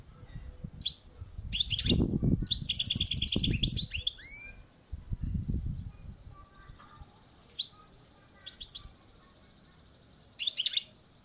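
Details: European goldfinch on a balcony: bright twittering phrases and a buzzy rattle over low rumbling background noise, followed by several brief, sparse bursts of high chirps after a quieter stretch.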